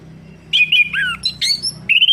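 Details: Varied whistled song of an orange-headed thrush, played to get a stalled bird singing again: wavering high notes, a downward-sliding note, squeaky twitters, then a rising whistle.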